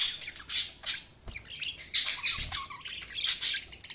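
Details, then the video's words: Budgies chatter in quick raspy bursts with high squeaky chirps and warbled notes, the lively flock chatter continuing almost without pause. "budgies chirping sounds"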